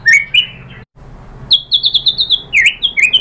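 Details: Murai batu (white-rumped shama) lure song for provoking rivals to sing. Two rising whistles, a brief silence, then a rapid chattering series of high chirps ending in swooping notes.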